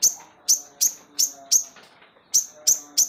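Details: Crested jay, described as singing day and night, gives sharp, very high clicking notes in a loose series, about three per second, with a short pause midway. A faint low hum runs underneath.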